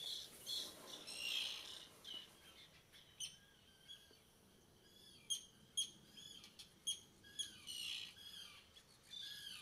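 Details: Juvenile common terns at Seaforth Local Nature Reserve, Liverpool, a breeding colony, on 31 August 2015, give thin, high, squeaky calls, singly or in quick pairs, about a dozen over ten seconds, over a soft hissing rush of wind or surf.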